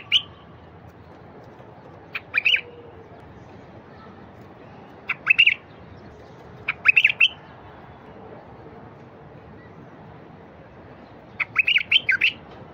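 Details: ['Wild bulbul singing, recorded to encourage silent bulbuls to start: short bubbly phrases of three to five quick fluting notes, given every two to four seconds with pauses between, and a steady low rumble behind.']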